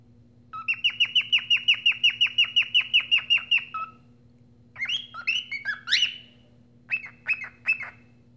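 A cockatiel whistles a fast run of about fifteen bright, even chirps, then several rising, warbled whistles, over a steady low electrical hum.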